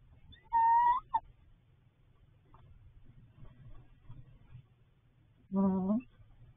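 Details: Barred owl at a nest box in March with two eggs; a clear rising-falling whistled hoot, then after a quiet stretch a second, lower, harsher hoot with strong overtones, over a faint low hum.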